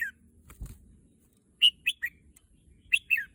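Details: A red-whiskered bulbul that is said to be longing for the contest field gives two short clusters of whistled, slurred notes, with a faint rustle or flutter earlier on.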